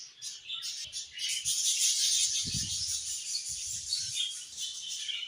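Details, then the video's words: Budgerigars keep up a steady stream of thin, bright chirps and chattering warbles, with a few soft low thumps underneath. "Budgies Chirping"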